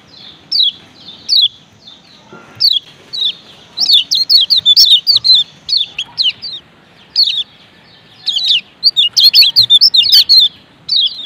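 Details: High, sharp down-slurred chirps from a male lemon-bellied white-eye of Lombok, starting as scattered single notes and building into dense rapid chattering runs, with quiet pauses between.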